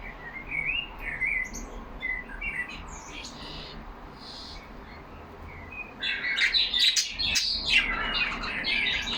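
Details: Caged budgerigars chattering: a few soft rising warbles at first, a quieter stretch, then an abrupt burst of loud, dense high chirping from several birds.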